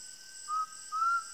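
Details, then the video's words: Two clear, mellow whistles from an undulated tinamou in the sertão of Brazil, each level and drawn out, the second longer, over a faint background hum of insects. "CANTO do JAÓ (CRYPTURELLUS UNDULATUS), UNDULATED TINAMOU"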